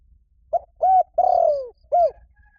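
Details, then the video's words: Spotted dove calling a mate, used as a lure: four low hooting coos, a short note, then a fuller one, then a long falling coo, and after a pause one more coo, over about two seconds. "CU GÁY GỌI BẠN | TIẾNG CHIM CU GÁY KÍCH BỔI NHANH NỔI HIỆU QUẢ"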